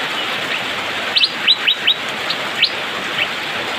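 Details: Brief rainy-season phrase from an Asian fairy-bluebird: a quick run of five or six bright upward-flicking whistles within about a second, followed by softer notes, with rain hiss behind.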